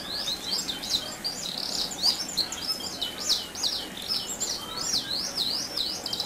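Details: Canary singing continuously in a rolling style, a lure meant to provoke other canaries: dense chains of high zigzag whistles with fast rapid-fire notes throughout, steady and unbroken.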